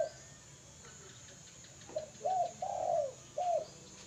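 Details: Spotted dove cooing: a short soft note, then a longer drawn-out coo and a final clipped note, all low and hollow, over quiet background hiss.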